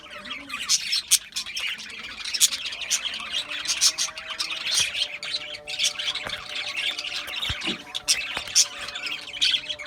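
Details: Budgerigars chattering nonstop, a thick layer of rapid high twitters, squeaks and scratchy warbles, several birds overlapping throughout, with a low hum beneath.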